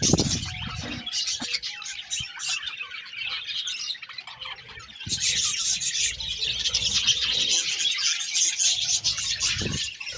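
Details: A flock of budgies chirps continuously for about ten seconds, quieter at first, then breaking into a louder, denser burst of rapid twitters and squawky notes at midpoint.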